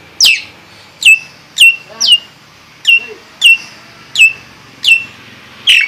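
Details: Nias hill myna repeating loud, sharp downward-sweeping whistles about every half second to second, nine in all, over a low background murmur.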